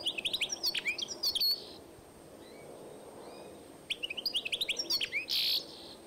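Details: Hybrid European goldfinch x canary, 2012, giving a high tinkling twitter, then a near-silent stretch with two faint thin notes, then another fast chattering burst ending in a harsh buzzy note.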